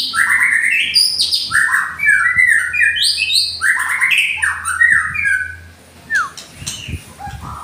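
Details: Indonesian white-rumped shama delivering rapid, varied song: quick runs of stepped whistled notes and buzzy flourishes, several phrases tumbling together before a quieter pause, over a faint low hum.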